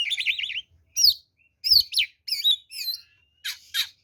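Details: Oriental magpie-robin fighting song used as a lure to provoke other birds: a rapid trilled warble, then separate swooping whistles and harsh buzzy bursts at high pitch.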